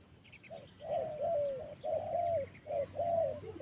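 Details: Wild spotted dove cooing in a series of soft, low, slightly descending hoots, some notes run together in pairs, with faint high chirps of other small birds in the background.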